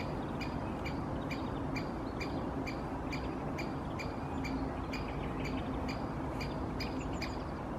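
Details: Two great spotted woodpeckers in a conifer canopy in Helsinki, Finland, in April 2023, one calling incessantly: sharp, short 'kik' notes about two per second, steady and insistent, over a heavy low rumble of wind or distant traffic.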